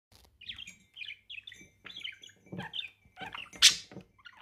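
A budgerigar chatters in quick, scratchy chirps and warbles with a few sharper squawks.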